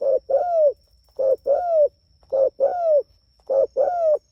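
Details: A spotted dove calls to its companions with four paired coos, each a short low note followed by a longer falling, arched coo, repeated about every second.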